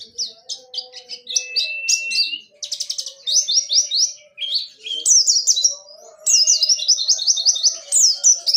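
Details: White-eye of the Dakun Pacitan type, singing in the rolling 'ngerol' style with sharp 'nembak' bursts: rapid high, thin chirping phrases of descending notes in dense runs, with faint low steady tones underneath.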